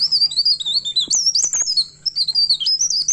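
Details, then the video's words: Pied bushchat singing at midnight in a lively, continuous rolling style, known locally as ngerol: rapid high, twisting whistled notes run together without pause, with a few sharp clicks and a faint low hum underneath. "Burung Pare pare Gacor Ngerol Enak Tengah Malam"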